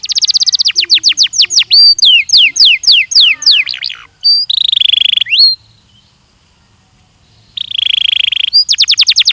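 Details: Belgian canary training song with rapid repeated downslurred chips in fast series, a buzzy trill and short whistles, broken by a pause of near silence before the chip series resumes.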